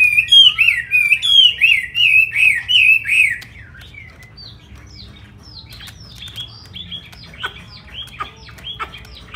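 A Chinese hwamei sings loud, rich rolling phrases, about three a second, then shifts into quieter, varied whistles and chips.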